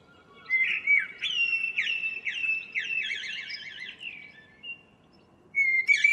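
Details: Morning song from a local common blackbird, 2 April 2013: a long flowing phrase of fluted whistles turning into quick wavering trills, then a pause and a thin high note.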